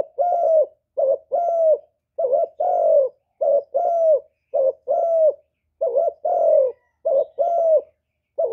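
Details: Spotted dove cooing, used to lure wild doves to a trapping spot and to stimulate newly kept birds, recorded without background noise: low, mellow paired coos, each a short note then a longer falling one, repeated steadily with brief pauses.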